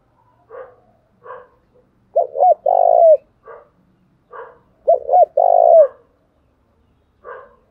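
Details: Spotted dove from Đồng Nai, Vietnam, giving the "thúc gù" coo used to stir up and train decoy birds: two short hooked notes and a long falling coo, phrase repeated twice, with soft scattered cooing between.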